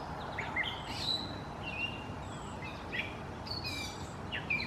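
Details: Unknown songbird recorded in 2018 at London, Ontario, giving thin high whistles and quick chirps, spaced irregularly through the recording, against constant broadband environmental noise.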